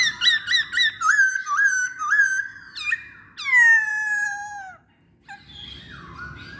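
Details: Masked laughingthrush, known locally as poksay Hongkong, in a lure recording: loud clear whistled notes in quick repeated rising phrases, then a long bright downslurred whistle, a short pause, and softer whistles.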